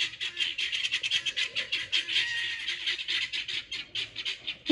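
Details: Pearl guineafowl patrolling a garden for bugs, noisy when excited: steady run of harsh, buzzy squawks in quick pulses, continuous grating chatter throughout, a louder note at the very end.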